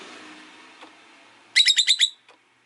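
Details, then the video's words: Rosy-faced lovebirds in a cage by a window with passing street noise. After a steady background hum, a rapid burst of five shrill, harsh chirps runs for about half a second, then a faint click. "Lovebird Chirping Sounds"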